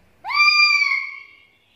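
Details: Single loud screech from a black-capped lory, a vocal lure call: it rises quickly at the start, then holds a nasal, strongly harmonic tone for about a second before tailing off.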